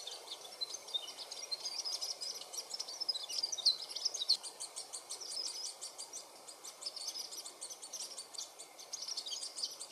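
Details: Varied sittellas in the Capertee Valley, Australia, filmed through nesting from eggs to fledglings; dense, rapid, very high chips and twitters pulsing steadily for the whole stretch, brightest in the middle.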